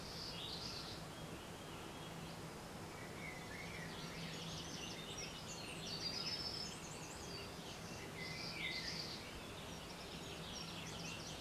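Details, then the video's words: Several birds sing in the distance in the early morning, with thin, high twittering phrases and a few bright whistled notes over a steady low hum of background noise. "Early Morning Singing Birds"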